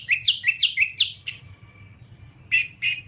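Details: Whambie song on a long tutoring recording: a quick run of short rising whistled chirps around mid-high pitch, a thin sustained note, then two more bright chirps after a pause.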